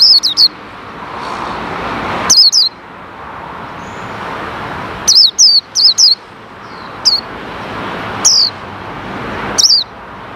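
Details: A kept white-eye being tested after its cover is lifted, with wild white-eyes said to come near, gives short, high, thin chirps in quick bursts of two or three every second or two, over a steady hiss.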